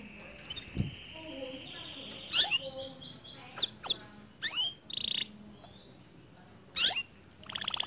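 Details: Canary singing at a relaxed pace to coax a silent canary into full song: a long steady high whistle, then scattered sharp downward sweeps, short buzzy bursts and thin trills separated by quiet gaps.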